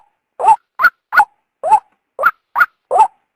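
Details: {'caption': 'A female white-breasted waterhen gives harsh, nasal calls that lure the male out. Seven notes in three seconds swing between a rising lower croak and a higher clipped note. Silence otherwise.'}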